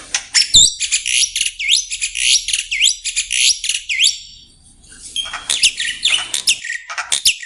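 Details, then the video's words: Black-winged myna song recorded for use as a lure to prompt other birds to sing. High rising whistled sweeps repeat about every half second, then a burst of rougher, buzzy chattering notes. No other sounds stand out. "Suara Burung Jalak Putih || untuk pancingan"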